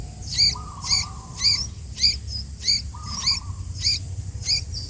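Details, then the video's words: Sooty-headed bulbul giving a regular series of bright, clipped high chirps about every half second. Two longer, lower wavering notes are heard between them, over faint low background noise. "burung kutilang gacor"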